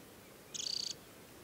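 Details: Banded adult Temminck's stint at Tinnhølen lake, Hardangervidda, Norway, early July, in summer plumage, giving a single high-pitched trill of about a dozen rapid pulses lasting under half a second against quiet ambient hiss.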